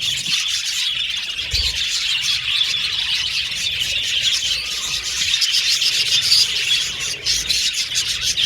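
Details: Budgie colony in a cage, the birds singing and chirping; a dense stream of shrill twitters and warbling notes, with occasional sharper squeaks poking through.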